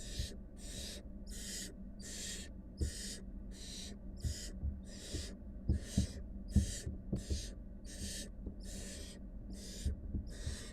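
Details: Wild barn owl family, mother and five nestlings; a rapid series of about fifteen rasping hisses, nearly two per second, with faint knocks and thumps underneath.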